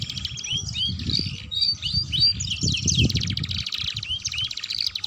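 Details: Gacor and ngeriwik canary singing for tutoring young birds to sing: sweet upslurred whistles and chirps broken by fast buzzy trills, high-pitched and lively, with steady low rumbling noise underneath.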